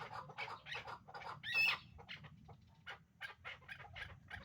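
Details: A breeding pair of hybrid chukar partridges utters uneven, scratchy chuk calls in quick succession, with one brief thin whistle partway through and quieter gaps toward the end.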